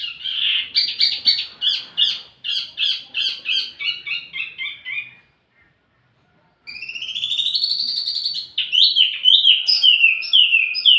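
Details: Wambi mini lure song for tledekan birds: rapid high stuttering notes descending slightly in pitch, a few seconds of silence, then rising whistled slurs and quick chattering phrases.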